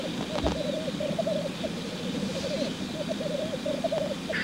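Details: Black grouse at a spring lek, a displaying male giving the low bubbling rookoo song, a rapid burbling phrase repeated continuously with short pauses, a brief hissing note near the end, outdoor rural background.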